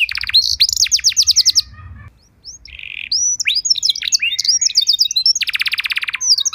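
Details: Canary singing as master and bait song: a quick trill of sharp notes, a short near-silent gap, a buzzy note and scattered chirps, then a loud, very rapid even trill and falling whistles.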